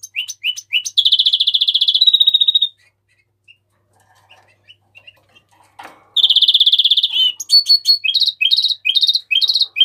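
A house finch sings bright, rapid trills and chirps in two bursts separated by a few seconds of near silence, with high, sweet notes repeated quickly.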